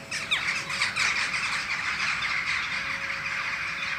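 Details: Jackdaw flock in a tree as the full moon sets: a few louder, distinct harsh calls near the start, then a steady mass of overlapping chattering voices continues to the end.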